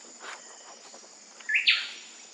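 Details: Wilson's bird-of-paradise in West Papua, recorded between late July and mid-August, gives a brief rising whistled note followed at once by a loud, harsh burst, over a steady high insect hum.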